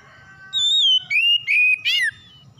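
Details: An oriental magpie-robin phrase, used to prompt other magpie-robins to sing: faint whistles give way to a loud pure wavering note, two steady whistled notes and an abrupt falling sweep, over low hum.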